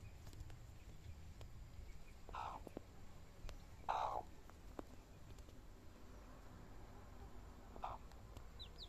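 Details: Hen with chicks: three short, low clucks spaced a few seconds apart over a quiet background with low rumbling noise.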